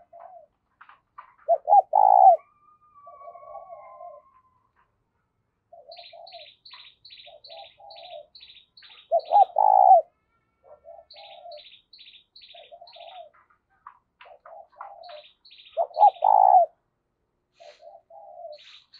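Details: A spotted dove used as a decoy for bird trapping gives low, mellow cooing phrases, repeated roughly every seven seconds.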